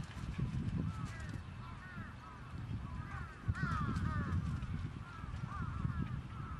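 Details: Several trapped crows give a steady stream of brief curved caws, overlapping and irregular, with a loud low-pitched rumble and a sharp knock near the middle.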